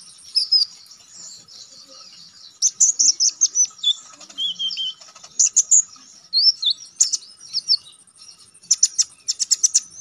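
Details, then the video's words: Vigorous song of a konin (Olive-backed Sunbird), recorded as training material for song contests: fast, high twittering phrases of sharp chips and whistled slurs in repeated bursts separated by short gaps. "Konin damer gacor ngalas nembak tajam"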